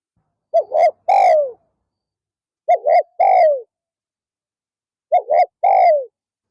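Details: Spotted dove decoy coos during an afternoon session meant to attract wild doves. Three evenly spaced phrases each join a quick double note to a drawn-out descending coo. The background is otherwise silent.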